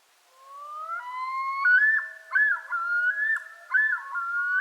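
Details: A male Common Loon of northern lakes yodels to claim territory: a long, rising, wavering wail climbs into repeated two-note phrases, looping about every second, eerie and resonant against a quiet background.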